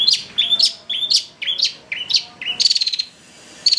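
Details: Long-tailed shrike in full isian song, a lure meant to excite other shrikes into singing. Clear whistled notes, each rising sharply, repeat about twice a second, then a rapid buzzy rattle and a final whistle.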